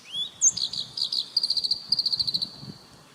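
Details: Black-browed reed warbler singing one upslurred whistle, a sharp chip, then a fast, even rattle of about a dozen high, buzzy notes that fades at the end.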